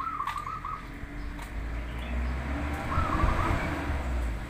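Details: Zebra dove, local or crossbred bird, used as a lure recording to draw replies from other doves: two quick trilled, stuttering coo phrases about two and a half seconds apart, over low traffic rumble.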